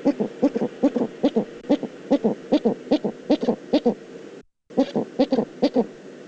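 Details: Eurasian eagle-owl calling in the Eifel on 22 October 2014: a fast, fairly steady series of short, deep, husky pulses, about two to three per second, with a brief pause before it resumes.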